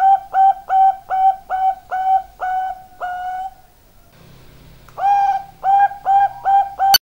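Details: Perkutut, Bangkok-type zebra dove, giving a rapid series of rounded coos at a constant pitch, about seven in a row, fading before a short pause with faint rustling, then resuming with five more strong coos.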